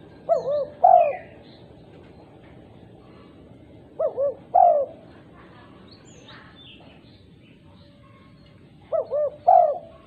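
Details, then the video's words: Female spotted dove, described as a lively caller, summoning other doves: three-note coos, two short hooked notes then a longer drawn note, repeated about every four seconds, with faint thin chirps of other birds behind. "Tekukur betina gacor memanggil tekukur lain"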